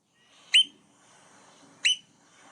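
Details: American oystercatcher (Haematopus palliatus), a loud, vocal beach-nesting bird on Connecticut beaches from about the third week of March, gives two loud, piercing, sharply downslurred whistled notes about a second apart over faint hiss.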